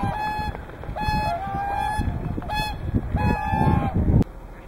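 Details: Whooper and tundra swans at Hyoko, Niigata: clear, long trumpeting honks about once a second, each level and slightly falling at the end, with other swans honking behind and a sharp knock near the end.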